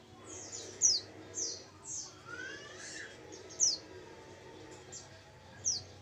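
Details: Oriental white-eye female giving a lure call: sparse, very high, sharply falling chirps spaced a second or more apart, some doubled, over a soft low background hum.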